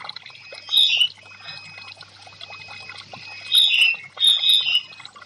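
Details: Orange-headed thrush (anis merah), caged, song meant to coax silent stressed birds: three brief high whistled phrases separated by quiet gaps, over a soft steady trickling background.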